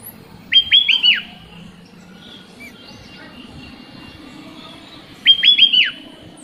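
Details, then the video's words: Sooty-headed bulbul song, played as a lure to coax reluctant kutilang into singing: two short bursts of bright, bubbling notes sliding downward, the second arriving about four seconds after the first, over a faint low hum. "Kicau Burung Kutilang Buat Pancingan Kutilang Malas Berkicau"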